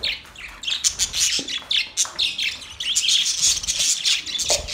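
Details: Budgerigars while mating: dense, scratchy warbling chatter of quick high chirps and squeaks in bursts, with short gaps between phrases.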